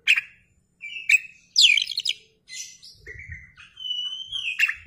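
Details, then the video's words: White-rumped shama singing with its tail spread: separate bursts of chips and a rich tumbling phrase, followed by long, pure, even whistles, against a quiet background. "KACER gacor ngeplay buka ekor"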